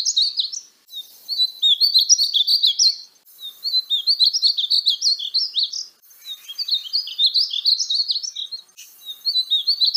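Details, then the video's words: Painted bunting song: three rapid, high warbled phrases of sweet, tumbling notes, each lasting about two to three seconds and separated by short pauses, with no other sounds. "Conheça o belo canto do pássaro estamenha pintada (Passerina ciris)"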